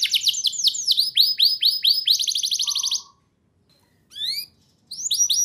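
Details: Canary lure song for prompting young canaries to sing: quick trill, slower arched whistles, a buzzy roll with a low whistle, then silence broken by two short bursts of rising chirps.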